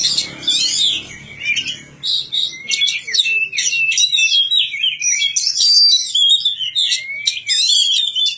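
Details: Magpie-robin in a village setting pouring out continuous high whistles, sweeping slurs and clipped chirps in a varied, energetic song.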